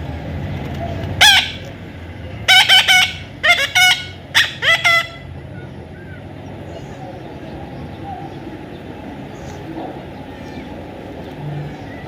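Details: A young Indian ringneck parrot being tamed gives one squawk, then a cluster of four to five rasping notes. Low rumbling background noise continues afterward.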